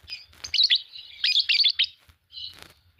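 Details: Fischer's lovebird pair, green birds, giving fast twittering chatter of sharp, squeaky high notes in quick clusters, then a softer buzzy note.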